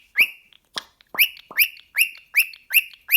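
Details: Pet cockatiel, male, hyperactive and excited at the sight of a sock, calling repeatedly: rising whistled chirps with a harsh edge, about three every second, after a couple of scattered opening notes.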